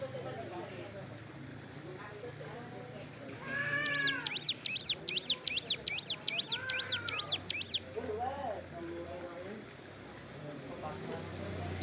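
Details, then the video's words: Hill prinia basking roadside mid-moult sings a fast, rhythmic series of about fifteen high up-down notes lasting several seconds, with lower warbled calls from other birds before and after. "suara burung ciblek gunung"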